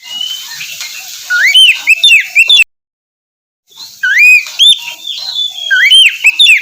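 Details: Oriental magpie-robin song for coaxing a silent bird to sing in the morning: soft whistle, then loud upswept notes and chips, a full second of silence, then more looping whistled phrases.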